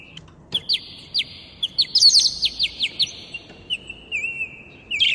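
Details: Two parrots singing and talking together at home: high, quick chirps, about three a second, over a steady shrill whistled tone that later drops lower and warbles.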